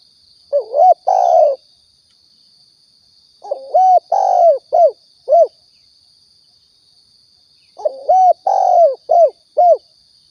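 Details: Spotted dove coo for luring and hunting in Riau, Indonesia: repeated phrases of a wavering note, a long hoot and two or three short clipped coos, each phrase separated by a few seconds of quiet, with a steady high whine throughout.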